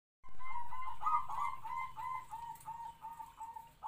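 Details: Captive-bred local zebra dove decoy, about three to four years old, with a medium voice and kwor kwor call. It sings a run of rapid, rolling, burry coos that fade in loudness over several seconds.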